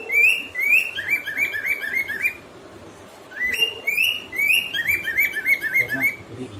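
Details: Two pet cockatiels (Nymphicus hollandicus) singing and whistling: a run of bright, rising whistles in two repeated phrases.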